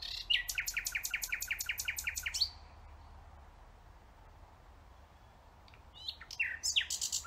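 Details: Nightingale song: a rapid run of about a dozen identical chopping notes, then a few seconds of quiet before a new phrase starts with a whistled note and more quick repeated notes.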